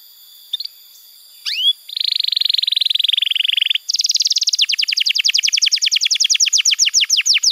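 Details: Canary song used to prompt young canaries to sing: brief chips and an upward sweep, then a steady buzzy rolling trill, then a quick high trill of falling notes.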